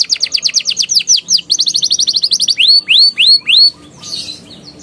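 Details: Young canaries are encouraged to sing with this canary song: rapid rolling trills of downward-sweeping notes, followed by four slower, loud, rising whistled upsweeps, then a brief faint chirping.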